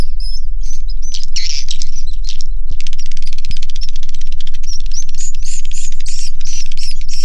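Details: Swiftlets in a swiftlet house give a busy mix of chirps and twitters, then a long run of dry rapid clicking overlaid with thin whistled notes, over a low background rumble.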